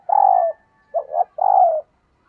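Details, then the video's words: A female dove gives three low, soft coos in two seconds, the middle one broken into two quick notes, a call meant to stimulate a male. Nothing else is heard. "Tiếng Chim Cu Mái Kích Trống"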